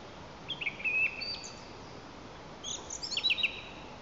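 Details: Song thrush singing in Lower Kama National Park, Tatarstan, on April 11: two bursts of high, clear whistled and chirping phrases, the second a quick cluster of sharp notes, over steady background hiss.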